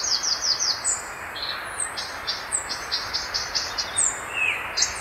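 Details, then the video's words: Violaceous euphonia (gaturamo-verdadeiro) delivering a lively song of rapid high chip bursts, roughly several per second, interspersed with thin descending whistles and one lower slurred note, with steady hiss behind. "O Canto do GATURAMO VERDADEIRO (Euphonia Violacea) Bird Song - Violaceous Euphonia"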